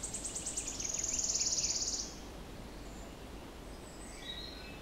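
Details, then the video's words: Wood warbler song, recorded 06-07-16: high ticking notes speeding into a dry, shivering trill with the distinctive crescendo, lasting about two seconds, then faint distant chirps from other birds over a low rumble. "Song of the Wood Warbler"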